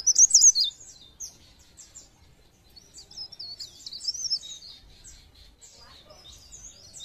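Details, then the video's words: Pare pare bird singing, a recording meant to prompt other birds into song: a loud burst of high squeaky notes at the start, then a steady chatter of quick, sharp chirps and short warbles. "Pancingan bunyi ampuh burung pare pare"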